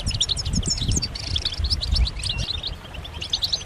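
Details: European goldfinches giving group chirps and mating calls meant to get a male singing: scattered high, sweet, slurred notes and short twitters, less dense than a full chorus, above fairly strong low rumbling background noise.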